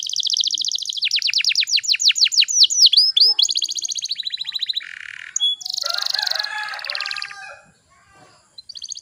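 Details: Canary song played to entice young canaries to sing: fast descending sweeping notes, bouncing upslurs, a buzzy lower roll and a harsh broad rattle, fading near the end.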